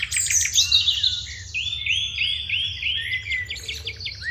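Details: Sparrows chirping at morning, crow present: a burst of high mixed chirps followed by a steady string of short arched notes and quick clipped chirps, low hum underneath.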